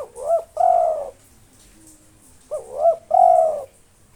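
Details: Local spotted dove singing persistently, with long breath, to provoke rival birds. Two cooing phrases about 2.5 seconds apart, each a short rising note, a hooked note and a long, level, slightly buzzy coo, with quiet pauses between.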